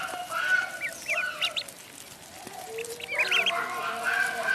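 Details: A duckling in the pond gives fainter, high chirping peeps in two small clusters, early and late, with soft lower calls and steady background noise between.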